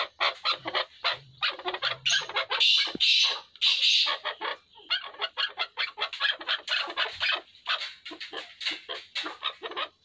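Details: A pair of chukar partridges calling: rapid, harsh chuck notes repeated about twice a second in an uneven rhythm, swelling into louder squawking bursts partway through.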